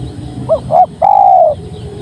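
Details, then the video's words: Spotted dove cooing: two short soft coos followed by one longer, sustained, slightly sinking coo, then quiet low background hum. "Suara Tekukur Padu Enak Didengar"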